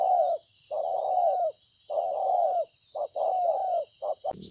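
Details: A wild-caught spotted dove cooing strongly on 26 September 2020: long, mellow, downward-sliding coos alternating with short clipped notes, loud and close, ending with a sudden thump, over a thin constant hiss.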